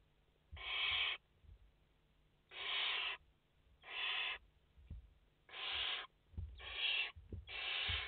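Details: In a nest holding five chicks on 29 August 2021, young barn owls produce six broad, rough hisses, each roughly half a second long, at uneven intervals over eight seconds, filmed on a live camera.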